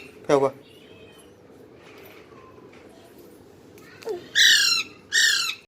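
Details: Young parrot making short, raspy squawks: one descending rasp early, then two loud, buzzy screeches close together near the end, with quiet room background between calls.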